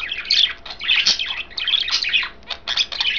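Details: Pet budgerigars, three birds coloured green, blue and white, feeding on kale; a continuous stream of chattering warbles, sharp chirps and short squawky notes in rapid bursts.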